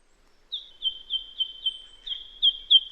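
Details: White-throated Treecreeper piping call from Australia, easily confused with the eastern yellow robin: a quick series of about eight high, sharp piping notes, roughly three per second, each slightly slurred downward.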